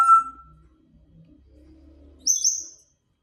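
A grey parrot gives a brief clear whistle, a second of soft low mutter, then a sharp high squeaky chirp.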